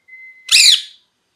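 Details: Pet parrot that is molting and losing feathers: a thin steady whistled note, then one loud harsh raspy squawk lasting about half a second.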